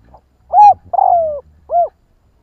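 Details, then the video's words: A single spotted dove 'kích bổi' stimulating phrase: a faint pip, a rounded coo, a long falling coo and a closing arched coo, over a low rumbling hum. "Chim cu gáy kích bổi nhanh nổi"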